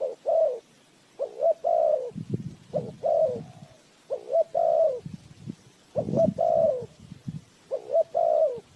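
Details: Spotted dove lure used in bird trapping: two-part coo phrases, a clipped note then a longer slurred one, repeated about every second, with low rustling between.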